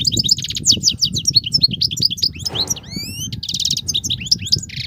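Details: Nonstop song of a wild European goldfinch with batbatat notes: bright liquid twittering and buzzy trills, a harsh scratchy note midway, then a series of clear rising whistled slurs. Low rumbling background noise throughout.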